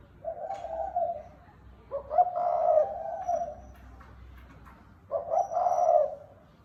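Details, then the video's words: Deep mellow coos from a spotted dove in the 'thúc bổi' manner. Three phrases are heard, each a short double note followed by a lingering steady coo. "Tiếng chim cu gáy đồng thúc bổi gáy gù"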